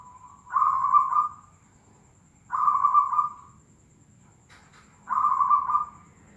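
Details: Tangguh Demak zebra dove repeating a smooth, sustained mid-pitched coo three times, roughly every two and a half seconds, each phrase swelling and then fading. A faint click falls between the second and third phrases over a low background hum.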